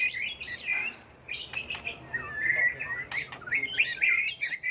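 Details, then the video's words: Many-voiced white-rumped shama song, constantly changing, played to provoke birds to sing back in contest; bright whistled phrases and trills mixed with sharp clicks, a steady flat whistle mid-clip and a busy close. "chòe lửa hót hay, nhiều giọng, đảo giọng liên tục, kích chim hót đấu"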